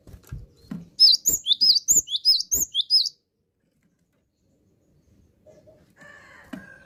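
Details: A gacor gelatik batu (cinereous tit) delivering a brisk series of about eight high, slurred whistled notes, evenly paced over two seconds, before a long pause and faint tones at the end.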